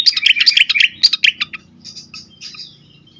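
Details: Agitated fantail singing, used to lure and stimulate birds: rapid bursts of sharp chirps and short rising whistles, then fainter scattered notes.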